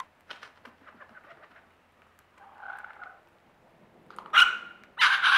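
A lyrebird runs through a mixed medley: soft ticking clicks, then a low cooing murmur, ending in two loud, harsh, rasping bursts.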